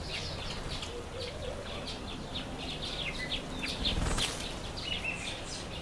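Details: Red-faced mousebirds, Urocolius indicus, in a nectarine tree, giving a busy series of short high chirps and whistled notes that overlap through the whole stretch, over steady low outdoor rumble.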